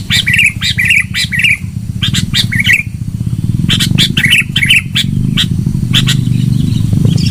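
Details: Loud sooty-headed bulbul song for luring birds: clustered chirpy whistled phrases in separate bursts, mixed with clicking sounds and a persistent low engine-like rumble.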